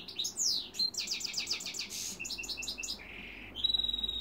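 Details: Song of a goldfinch crossed with a dimorphic canary: a falling whistle, a quick rattled trill, short chips, a flat buzzy note, then a thin sustained high whistle.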